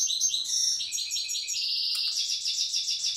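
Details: A European goldfinch from Tiaret sings in the old-language wild goldfinch manner, delivering a loud, rapid, buzzy trill of high twittering notes that runs without a break.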